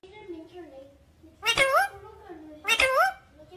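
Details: Talking pet parrot said to say "mummy papa"; a low steady voice hums beneath, then two loud, harsh, speech-like bursts with sharply bending harmonics about a second apart.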